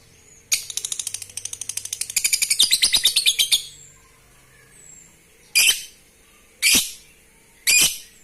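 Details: Lovebird voice to trigger breeding: a three-second burst of quickening, shrill chattering notes, followed after a pause by three separate loud, harsh squawks about a second apart.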